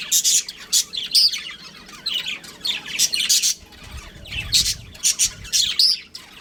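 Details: Breeding pair of pet budgerigars kept at home, chirping in quick bursts of high, scratchy, squawky notes, separated by short pauses, with a faint low thump partway through.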